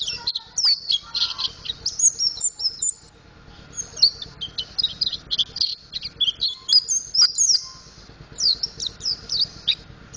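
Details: Mountain white-eye learning to sing in ngriwik and ngeplong styles: long, busy run of high twittering, sweeping and chipping notes, almost continuous, with a short lull midway and a soft background hum.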